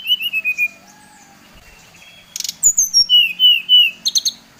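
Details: Provoking song of a Bali-type brown-chested jungle flycatcher: a short falling whistle run opens, then after a pause a high note slides down into a string of even, level whistles, over a faint low hum.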